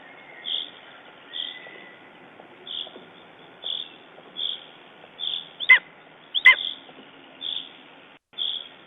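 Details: Lesser spotted eagle (named Tuuli) in Estonia, 14 June 2011, after being traumatized by a raven, gives short high yelping notes, about ten in nine seconds at a steady pace, with two sharp knocks partway through.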